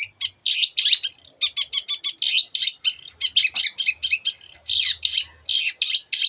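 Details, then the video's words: Long-tailed shrike singing 'gacor', a master song mixing other birds' sounds to prompt quiet birds: harsh buzzy bursts alternating with quick ticking notes in a fast, unbroken run. "cendet gacor masteran untuk burung yang susah bunyi banyak varian suara burung lainya"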